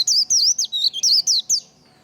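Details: White-eye giving the lively "líu" training song: a quick string of high, wavering whistled notes, each slurred up and down, about four per second, ending in a thin trailing tone.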